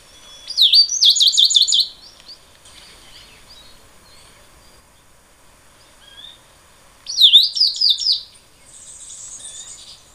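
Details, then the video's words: Tricolored Brushfinch (Atlapetes tricolor) song: two bursts of high, sweet notes, a swooping whistle followed by quick repeated chips, about five seconds apart; faint background birds. "O canto do Tico Tico tricolor"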